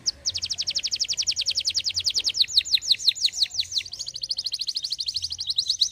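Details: Canary, described as a lively, persistent singer, in a long fast trill of rapid high notes, then a run of slower descending slurred whistles, ending in a buzzy rapid trill; song used to prompt other birds to sing.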